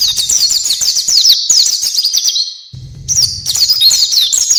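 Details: High, fast twittering 'gacor' song of an oriental white-eye, an 'isian' filler recording: quick slurred notes run together in a long rattling phrase, a brief break, then the chatter resumes over a faint low hum.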